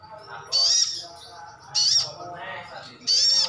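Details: Brown-throated sunbird (sogon ngalas), a kept bird, giving its answering-lure call: three strong, high, slightly wavering chirps about every second and a quarter, over low hum.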